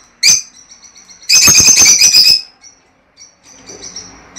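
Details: Lovebird calling to encourage a female to lay eggs, a pet bird indoors: a single sharp high chirp, then a second-long burst of rapid, shrill, squeaky chatter, fading to faint twitters.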